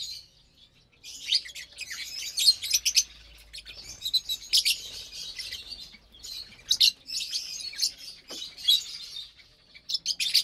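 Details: Lovebirds eating breakfast of sweet corn, basil, mustard greens and mixed millet on Saturday morning, April 30th, 2022: near-continuous high, scratchy twittering with sharp chirps scattered throughout.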